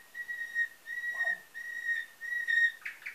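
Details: Captive-bred canary from Varna, Bulgaria, 2013, in nightingale-type song: four long pure whistles on a single steady pitch, evenly spaced, ending in a quick burst of higher notes.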